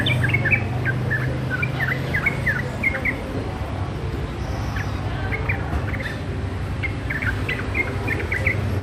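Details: Immature sooty-headed bulbul working out its song with scattered short, sliding chirps in small irregular bursts across nearly nine seconds, accompanied by continuous low background hum.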